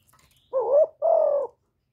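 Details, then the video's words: Spotted dove (cu gáy, cu đất) decoy call meant to stimulate kept doves to call: a soft, low double coo, a wavering hooted note followed by a longer, even, buzzy note, with nothing else audible. "Cu gáy hạp bổi {GÁY GỌI+THÚC+KÈM+GÙ khống} kích bổi hiệu quả. Cu đất gáy, tiếng cu cườm."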